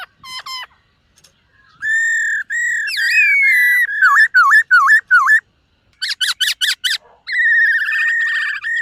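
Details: Morning practice song of a displaying black-throated laughingthrush: quick clipped notes, long level whistles, a burst of rapid dipping notes, a fast rattling series of sharp notes, then a wavering sustained whistle.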